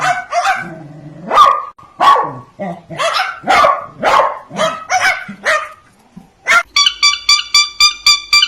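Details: A pet blue-and-gold macaw talking in rough, voiced, word-like syllables and bark-like squawks, then a quick run of about eight evenly spaced, harsh, ringing notes, screaming perhaps to get snacks.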